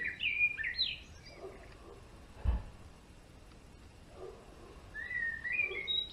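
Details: Male European greenfinch song: quick rising whistled notes open the recording, followed by a quiet pause with a soft thump, then a new run of ascending whistles near the end.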